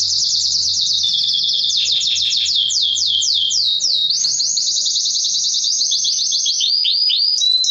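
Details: Singing male canary used to stimulate females for mating: a long series of rapid descending sweeps, then a steady high buzzing trill and a few closing slurred notes, loud and unbroken.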